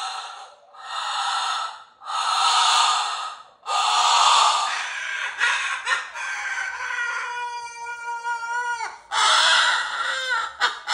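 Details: Indoor pet cockatoo performing its "roar": long, loud, harsh screams lasting one to two seconds each, then a nasal, wavering cry with a falling tone, and a final harsh blast.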